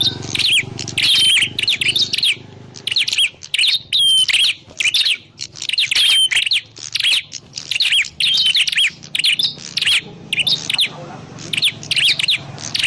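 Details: Prinia, recorded for use as a lure when trapping: long series of sharp high chirps in bursts of about a second, repeated steadily with short silences between.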